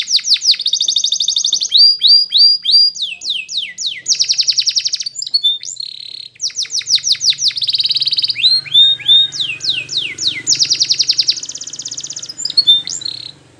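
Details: Belgian canary singing for training: long rapid metallic trills alternating with series of sweeping downslurred whistles, repeated rolls of similar notes, and a faint low hum in the background.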